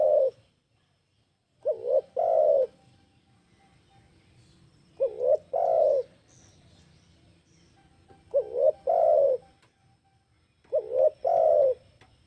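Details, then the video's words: Lure call of a spotted dove: soft, hollow two-part coos, a brief quavering note followed by a fuller drawn-out coo, repeated four times at uneven gaps, with a light background hum. "Suara Burung Tekukur Bikin Pikat Bahan Ikut Gacor"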